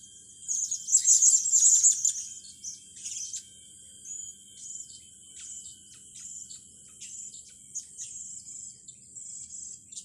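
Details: Blue-crowned hanging parrot, young birds being trained. A loud burst of shrill, trilling high notes comes first, then quieter scattered squeaks and faint twittering over a steady background hum.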